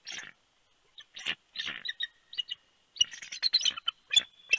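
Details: Bald eagle pair exchanging calls as the female lands at their nest in Big Bear, California, at the last night shift change, 28 January 2020. Dense, overlapping high chittering and squealing notes continue almost without a break.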